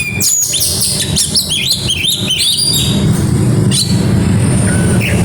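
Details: Kacer, or oriental magpie-robin, in grabakan style bringing out isian: a fast burst of high chirps and slurred whistles for about three seconds, then sparse notes over a loud low rumble.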